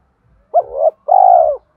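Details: Lure spotted dove singing in 'thổ' voice to stimulate wild doves: one mellow coo rising at the end, a brief pause, then a longer even, vibrating coo. Quiet background.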